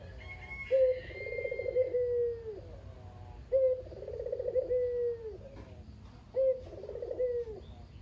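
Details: Talkative captive Barbary dove, local kugeru puter kept alone after its mate died, cooing to prompt other doves. Three coos roughly every three seconds: brief upward note, vibrating purr, long descending tail. A faint higher whistle appears early on.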